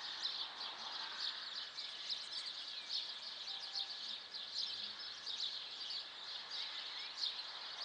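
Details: Urban birdsong at about 7:15 on 14 April: a busy tangle of high chirps, trills and short rising whistles from many birds, with a faint low murmur underneath.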